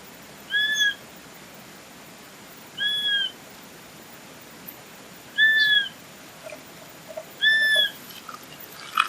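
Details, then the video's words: Plaintive whistled calls of a Swainson's flycatcher, four slightly arched notes spaced about two to three seconds apart, with a few faint clicks and ticks between them. "O Som do Pássaro IRRÉ Myiarchus swainsoni !!"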